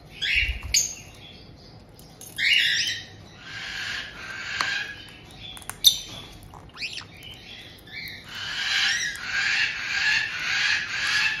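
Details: Caged white-bellied caiques in Hokkaido's Tokachi region, June 2023, where an established pair welcomes a young newcomer about two months old. Harsh, rasping squawks alternate with brief chirps, building to a long run of grating screeches.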